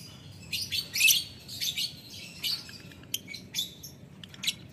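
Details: Lovebird in ngetik ngekek style calling a rival: short, shrill, rasping bursts repeated roughly every half second. Strongest early on, with thinner clicks and squeaks later.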